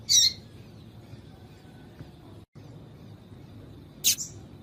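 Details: Female yellow-bellied seedeater calling to stir up males: two short, sharp high chips about four seconds apart, separated by quiet, over a faint low background hum.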